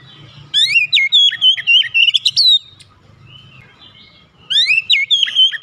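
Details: Oriental magpie-robin in a cage at home, sound meant to spur a reluctant bird to sing: a two-second run of loud whistled, warbling notes, a quiet pause, then another rising whistled phrase.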